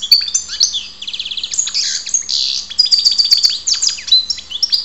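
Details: Continuous bright, liquid twittering song of a European goldfinch, Ptolemaida, Greece: fast chattering phrases, a rattling buzzy trill, and sharp high chips run together without a break.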